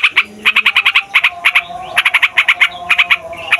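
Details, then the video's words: Noisy yellow-vented bulbul, used as a lure to make lazy or young bulbuls sing, uttering short clusters of quick rasping notes, about two per second, separated by brief gaps, with a soft low tone in the background. "TRUCUKAN FIGHTER NGEROLL PANJANG BIKIN SEMUA JENIS BURUNG OCEHAN EMOSI"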